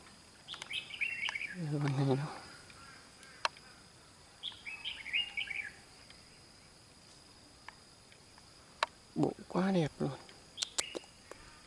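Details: Red-whiskered bulbul at a fighting trap, singing while confronting and chasing off a rival: two short, bubbly, warbled phrases a few seconds apart, mid-high and lively, with a man talking and a few sharp clicks.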